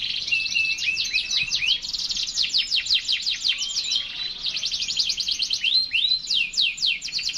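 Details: A canary sings continuously in a rich, varied stream of quick trills, downward-sweeping whistles and rolling phrases, with no other clear sounds.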